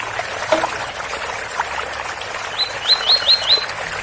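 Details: Ouro Fino tui-tui song of a double-collared seedeater with water running from a spout: after a soft lower note, five clear upslurred whistles in quick succession close the phrase against a constant trickle.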